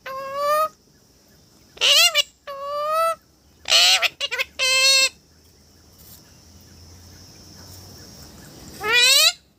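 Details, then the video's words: Parrot giving loud, nasal, harmonic calls in short bursts of about half a second, some rising, with a few quick stuttered notes, long pauses between them and a faint steady high tone underneath. "parrot talking"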